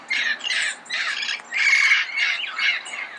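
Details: Loud, coarse squawks of a red-crowned amazon, recorded early morning in Pasadena, delivered in a steady series of about seven harsh blasts with a few short gaps.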